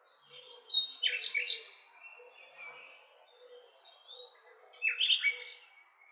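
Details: Two loud bursts of nightingale song, each a rapid cluster of sharp high whistles and chirps, separated by a softer stretch of quiet warbling.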